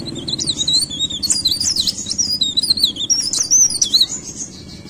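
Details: Leaf warbler, described as singing actively. Rapid, high, thin twittering phrases of jumbled warbles and zipping notes, with a low rumbling hum underneath.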